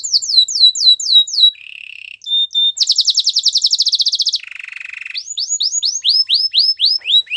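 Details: Canary song built from contrasting tours: falling whistled slurs, a low buzzy trill, a fast bright rattle, another lower buzzing roll, then rising-and-falling whistles repeated quickly. The recording is clean with no background sounds.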